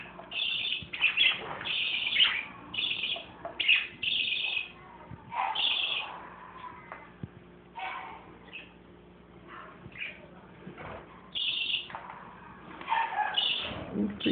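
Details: Budgerigars, adults with a baby, chatter in quick, scratchy chirps and short bright warbles, in bursts every second or so with brief pauses.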